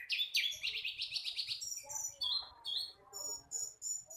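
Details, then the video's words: Young flycatcher practising its song: a rapid trill of about ten sliding high notes opens, then scattered thin whistles and a low murmur of background noise follow. "Sikatan londo masih belajar bunyi"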